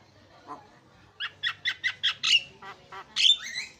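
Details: Lure song of a Javan myna for prompting a silent bird to sing: a steady sequence of rasping, nasal notes roughly every fifth of a second, closing with a drawn-out harsh squawk.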